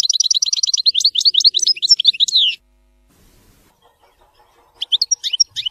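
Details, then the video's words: Goldfinch singing in the Widani style: a rapid, rhythmic string of high repeated twitters turning into varied slurred chirps, a quiet pause, then a few more sharp notes. "تغريد ويداني لطائر الحسون"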